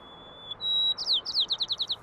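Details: A sparrow song from a comparison of songs recorded in noisy traffic and in the quiet pandemic-shutdown soundscape: a clear, level whistle stepping slightly higher, then about ten quick buzzy, downslurred notes, against a quiet background.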